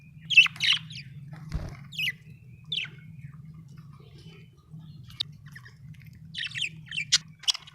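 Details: Budgerigar giving scattered short, high chirps and thin squeaks, separated by quiet gaps, over a steady low hum.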